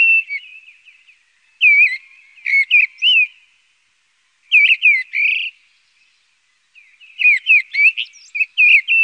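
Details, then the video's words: Mistle Thrush (Turdus viscivorus) song: short, loud, fluty whistled phrases of several notes, delivered every few seconds with clear pauses, over a quiet background; Mistle Thrush. "Canto del Zorzal charlo"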